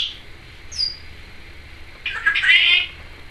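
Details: Pet Timneh African grey parrot talking, saying trick or treat among other phrases: a brief high whistle, then after a pause a short raspy voice-like burst lasting under a second, in a quiet indoor room.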